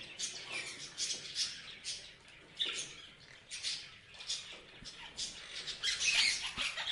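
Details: Parrots chirping in irregular bursts of raspy, high squawks and twitters, building to a denser, busier chatter near the end.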